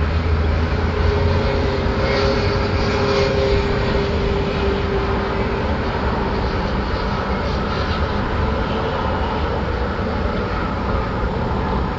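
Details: A steady roar of engine and vehicle noise, like a passing aircraft, fills the whole stretch with no animal voice heard.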